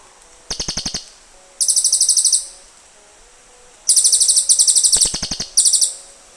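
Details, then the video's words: Cililin birds calling back and forth to each other: bursts of rapid, very high, sharp ticking notes, each run lasting under a second, with quiet gaps between the runs. "SUARA BURUNG CILILIN"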